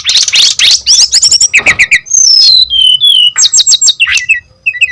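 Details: Brown-chested jungle flycatcher in vigorous song for luring other birds: dense high trills and rapid repeated chips, then long drawn whistles falling in pitch and a final cluster of sharp notes.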